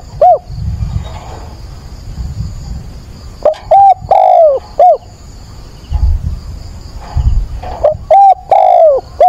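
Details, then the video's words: Spotted dove used as a decoy, cooing at dawn on 22 October to excite and train another bird; two loud cooing phrases about four seconds apart, each a short coo, a long falling drawn coo and a clipped final note, over low rumble. "Cu mồi gáy gọi, bình minh kích bổi luyện bổi"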